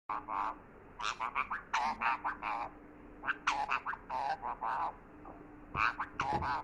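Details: Pet parrot talking: rapid, chattering, voice-like syllables in uneven bursts, some squeaky and rising, with a steady low hum in the background.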